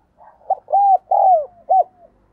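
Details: Spotted dove serving as a decoy for wild doves gives one fast cooing phrase. A brief soft opener is followed by two long, smooth, arching coos, a thin trailing slur and a short final coo.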